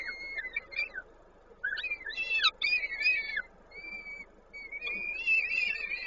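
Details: High-pitched peregrine falcon calls at a Koszalin nest in Poland, 19 May 2022, during feeding; rapid series of thin whistles and slurred wavering notes, then a long level whistle fading into steady background noise.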